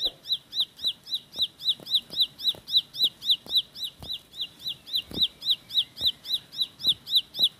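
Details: Rapid roll-style singing by a Bar-winged prinia (ciblek pari): clipped, high down-slurred whistles racing along almost four per second, highly regular, with occasional soft clicks in the background.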